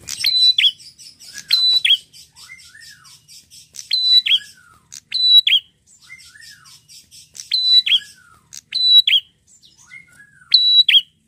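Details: A red-headed prinia sings high, sharp whistled notes in bursts about every two seconds, with a thin, rapid ticking chatter running between phrases.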